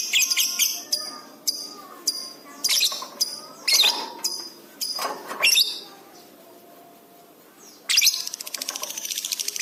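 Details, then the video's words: Lovebird in a masteran recording for training pet birds, singing energetically: sharp, high broadband chips and short bursts at irregular intervals, a few lower whistled notes, a quiet gap, then a fast buzzy rattling run at the end. "masteran love bird gacor cepat respon emosi memuncak"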